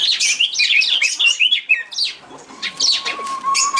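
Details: Rainbow lorikeets giving dense, high, screechy chattering notes in quick succession, sweeping up and down, with a brief quieter gap and a faint steady tone in the background.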